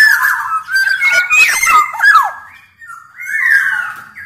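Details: Black-naped oriole, Sumbawa big-bodied type, singing to prompt other birds: buzzy whistles and sharp downslurred notes in a dense tumble, then two drawn-out, slightly nasal whistled phrases.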